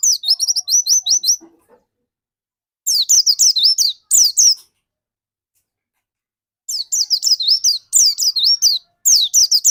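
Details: Prolific dakun white-eye song meant as a lure for other white-eyes: three bursts of quick, high, sweet chirping notes, each lasting a second or two, separated by silent gaps.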